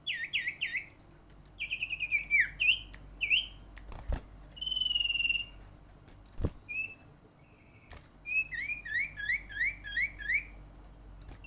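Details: Common iora calling as a lure to set other ioras calling: bursts of rapid hooked chirps, a short downslurred note, a level buzzy trill, then a long run of quick rising chirps; sharp clicks punctuate it.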